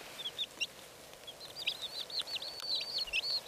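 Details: Chorus of red Silkie chicks peeping: quick, thin, high chirps in irregular runs, sparse at first then crowding together in the second half.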